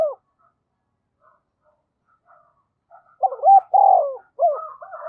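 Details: Spotted dove decoy bird, said to provoke quickly and coo readily, giving a short soft cooing phrase after near silence: two clipped low notes, then a longer hollow coo and a rising final note.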